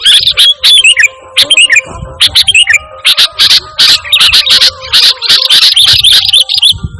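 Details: Sooty-headed bulbul in full, unmixed song for luring and training kept birds: bright whistled twists early on, then a dense run of sharp high chips repeated rapidly for several seconds.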